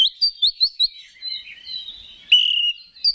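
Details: Oriental magpie-robin song used as a lure to stir up other males, opening with four quick upslurred whistles, then a smooth descending warble and a loud sustained whistled phrase.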